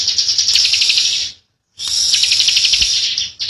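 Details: High, dense buzzing from a young bar-winged prinia in sustained 'ngebren' song. Two long rattling trills are split by a brief silence, with a faint low thud near the end.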